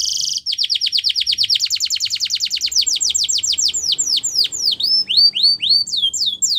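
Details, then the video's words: Spanish Timbrado canary singing for canary training: opens with a dense rattling burst, then a fast run of descending whistled strokes that slow into longer swooping, dipping notes. "The Best Canary Training Song"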